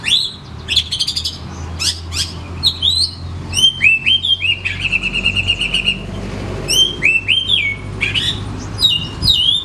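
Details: Oriental magpie-robin singing its varied repertoire, offered as a lure for caged birds at home that will not sing; clicking rattles and sharp chips open, then rising whistles, a long buzzy trill, and falling slurred notes, over a faint low hum.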